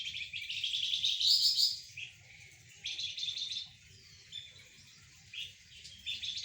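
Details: Golden-bellied gerygone in lively song as it is sunned beside spotted doves and zebra doves: a loud high rattling trill opens, followed by shorter buzzy phrases every second or so, over low background rumble.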